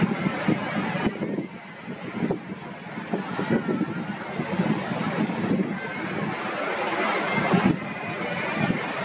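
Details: Common Murre colony at Yaquina, 26 May 2019: a dense, continuous chorus of low, growling, rolling calls from the crowded colony, with wind or surf rushing steadily underneath.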